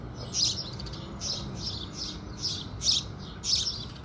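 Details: Busy house sparrow chatter with the rising sun: a near-continuous run of high, slightly harsh chirps of varying loudness over a low, steady noise floor.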